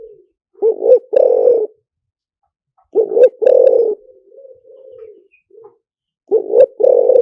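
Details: Spotted dove lure song, lio tan style: paired short coos followed by a drawn-out vibrant coo, phrases roughly three seconds apart, with a softer, lower muttered coo trailing between phrases.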